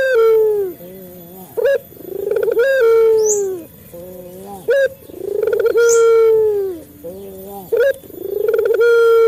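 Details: Male Barbary dove of local stock, recorded as a lure to get caged doves calling. Crisp opening notes are followed by a sustained, slightly sagging coo and a soft low afterthought, repeating roughly every three seconds with faint squeaks.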